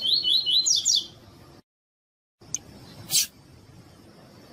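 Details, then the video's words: Female double-collared seedeater cheeping to stimulate males: a fast string of about six high chirps, each rising briefly, then a short silence, a click and a loud knock. "Fêmea de Coleiro Chamando e Piando Muito"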